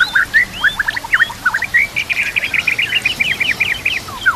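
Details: White-rumped shama (murai batu) song from a training master recording with nature sounds and trickling water: varied rapid whistled phrases with rising and falling slurs, ending in a fast, jittery run of repeated notes.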